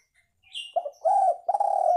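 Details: Spotted dove coo used for luring birds: a short low note followed by two long, steady, hoarse coos, with a thin high chirp from another bird at the start.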